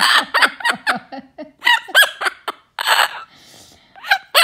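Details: Pet severe macaw, a male about a year and a half old, mimicking a laugh indoors: harsh, raspy bursts in a quick, uneven series of about four per second, broken by a short, quieter pause near the middle.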